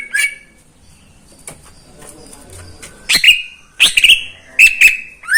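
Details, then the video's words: Greater green leafbird kept in a cage, heard in the morning: a quiet stretch with faint background sounds, then loud whistled phrases of sharp downward sweeps and short, steady high notes. "Kicauan cucak ijo di pagi hari"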